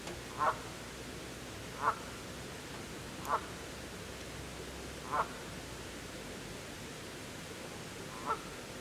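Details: Canada geese, parents followed by goslings trying to keep up; five short nasal honks repeated roughly every one and a half seconds at a fairly even pace against steady background noise.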